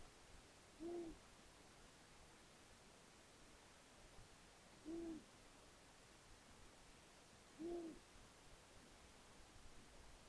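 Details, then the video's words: A male Long-eared Owl, out of view, calls at 21:23 on 21 March 2021 in Hungary: three low, soft single hoots spaced about three seconds apart over a steady background hiss. "male Long eared owl call"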